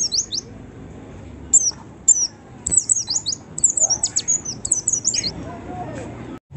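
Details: A white-eye sings as a lure to prompt other white-eyes to sing: a fast, very high twittering of thin, slurred chirps in quick bursts, over faint background hiss.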